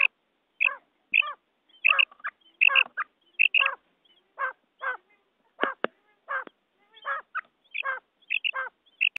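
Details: Quail (batair), played as a hunting lure call: loud harmonic notes, rising then falling, repeated in quick uneven runs of one to three, with short silent gaps and no background noise.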